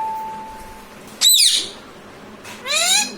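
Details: Pet parrot imitating speech such as "mummy papa": a short shrill screech, then a harmonic, rising-then-falling voice-like phrase. A faint steady tone runs underneath at the start.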